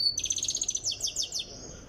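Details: Goldfinch from Tiaret under song training gives a brief, high, rapidly repeated ticking trill of about a dozen notes, then a few slower ringing chirps, in quiet surroundings.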